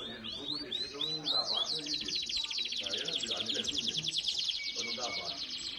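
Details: Domestic Belgian canary singing at the 7th edition of a singing competition, in the fibra song style: a run of quick rising upswept whistles opens into a fast, dense rolling trill, high and continuous, over faint low background noise.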